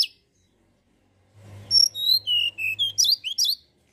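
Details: Mountain tailorbird song used to provoke other birds: a quick run of high, thin whistled notes falling in pitch, then rising sharp chirps, over a faint low hum.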